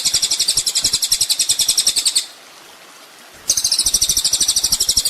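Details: Kolibri ninja sunbird on a songbird training track: two long bursts of a high, buzzy, rapidly pulsed trill separated by about a second of quiet, with soft low pulses beneath.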